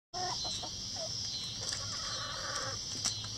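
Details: Rooster crowing among egg-laying hens in a coop run; a few short clucks open, then a drawn-out harmonic crow stretches through the middle, over a constant high, shrill insect-like hiss.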